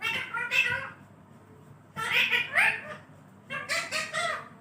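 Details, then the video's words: Pet parrot talking, with short bursts of harsh, raspy, speech-like syllables in three groups separated by pauses of about a second. "parrot speaking mummy mitthu ko roti do"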